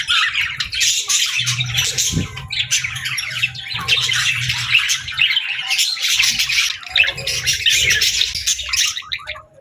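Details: A playful, friendly pet budgie chirping and singing happily: fast, scratchy, continuous warbled chatter, with a low hum underneath in places.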